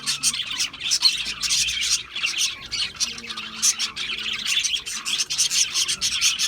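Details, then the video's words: Several budgerigars chattering, with fast scratchy chirps and warbled high notes packed closely together in uneven surges, plus a faint low hum in the background. "Natural Parakeet Singing Birds | Parrots Chirping sounds"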